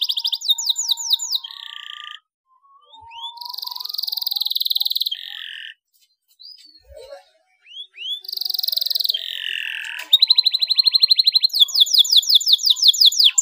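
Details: Canary song meant to coax a non-singing canary into song: bursts of fast high trills and rising slurred notes broken by short silences, ending in loud, evenly pulsed rattling trills.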